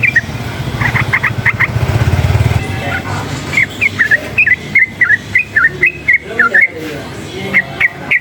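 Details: Sooty-headed bulbul (trucukan) excited by loud surroundings, a brief quick burst of notes then a steady series of slurred whistled notes about every half second, over engine rumble.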